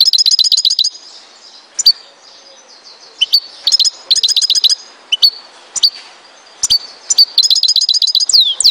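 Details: European goldfinch from Tizi Ouzou, Algeria, repeats short bursts of rapid, high buzzy-tinkling trills separated by single sharp chips, the phrases recurring every second or so.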